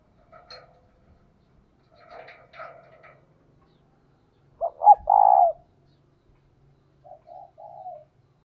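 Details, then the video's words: Spotted dove kept as a decoy to call in wild doves. One loud phrase of two short notes and a drawn-out falling coo, then a soft trailing phrase, with faint rustling before it. "Cu Gáy Mồi Thúc - Gáy Gọi Kích Bổi Mới Nhất | Chim Cu Mồi"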